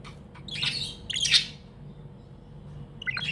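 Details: Tame budgerigar chirping contentedly: two loud, harsh high chirps close together, a pause, then a fresh chirp at the end, over faint low hum.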